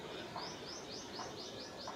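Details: Scale-breasted munia in Assam, northeast India, in March 2025: a quick run of seven high, thin, arched notes, evenly spaced over two seconds, with faint lower chirps and steady background hiss.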